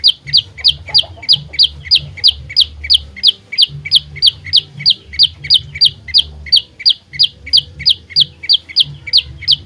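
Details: Steady, unbroken train of sharp, high downslurred chips, about three per second, from an olive-backed tailorbird meant as a fighting lure for trapping; low hum underneath.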